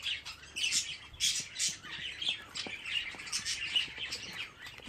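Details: Fifteen budgerigar chicks together give harsh, grating squawks and high chirps, several strong bursts early then a steadier chattering chorus.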